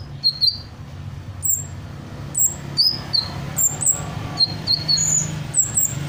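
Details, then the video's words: Hummingbird mimicking a variety of other birds: thin, very high chirps and short whistled slurs, often doubled, scattered unevenly through a quiet background. "Burung Kolibri gacor, menirukan berbagai suara burung"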